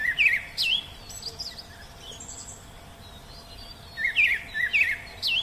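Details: Wild Oriental magpie-robin song. Bright, twisting whistled notes open the passage, then a quiet gap follows, then another cluster of quick looping whistles near the end.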